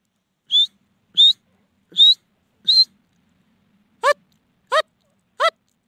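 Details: Francolin (teetar) calling: four short, high, rising whistled notes spaced under a second apart, then three shorter, harsher, buzzier notes at a similar rhythm, with a quiet background.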